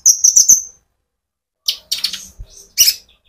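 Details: Sunbird in lively song, used as a lure to stimulate other birds: a rapid run of four high, sharp chirps, then a pause before scattered buzzy high notes and a final loud chirp.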